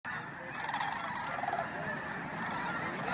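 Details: Huge flock of geese taking flight at dawn at the Flight Deck, Bosque del Apache, San Antonio, New Mexico, on 10 November 2013; dense continuous chorus of overlapping honks and yelps, a few clearer nasal calls standing out.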